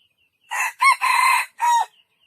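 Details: Junglefowl crowing: four loud, harsh, ringing syllables in quick succession, with a short first note, a sharp second note, a long sustained third and a falling final note, over an otherwise silent background.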